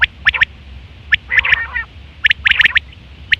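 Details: Quail recorded in September 2023, sound for hunting and mating: loud, sharp three-note bursts repeated roughly once a second, high and clipped, with a softer rasping note between, over steady low hum.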